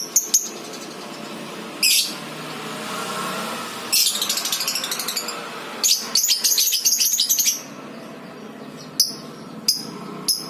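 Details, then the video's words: Lovebird ngekek for prompting other lovebirds to sing: a sharp chirp, then a fast rasping run of rapid high pulses lasting several seconds, a second burst, and scattered sharp chirps, over a steady indoor hum. "PANCINGAN 100% NGEKEK BURUNG LOVEBIRD!! AUTO NGEKEK"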